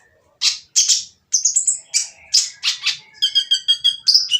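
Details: Oriental magpie-robin giving a noisy, harsh song meant to provoke quiet birds into singing: a run of loud rasping bursts followed by quick repeated whistled notes and a rising buzzy phrase.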